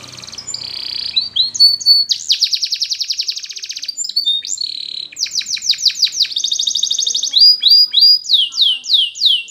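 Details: Training song of a Spanish Timbrado canary: changing phrases of fast metallic rattles, rolling trills and swept notes, closing with loud descending whistles repeated at a steady pace.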